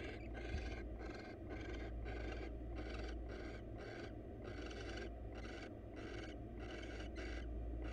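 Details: Wild barn owl pair in a nest box, male delivering a mouse to the female: rapid, rhythmic breathy hisses, roughly four per second, repeated steadily over a constant low background hum.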